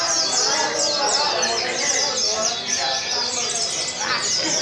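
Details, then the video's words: Oriental white-eyes singing at a bird-song contest training event in Sungai Pinyuh, 29 January 2017: a dense, continuous chorus of high, thin, rapid chirps and twittering trills from several birds, with people talking faintly underneath. "Kontes Suara Burung PLECI"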